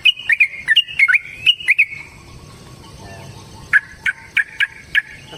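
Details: Yellow-vented bulbul in long 'ropel' song, used to coax other bulbuls into singing: quick run of bright, flicked notes, a quiet gap of about two seconds, then five evenly spaced chirps.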